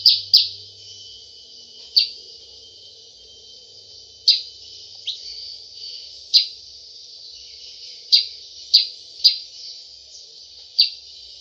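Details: Sparse 'cep cep' call of a sooty-headed bulbul, used as a lure for birds: single sharp, high chirps spaced one to two seconds apart over a faint steady background hiss.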